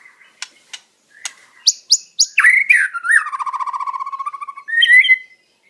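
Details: Wild white-rumped shama song, used for training captive birds: sharp separate chips, then high whistled notes swooping downward into a long, even, rapid trill that lowers slightly, ending with a short bright phrase.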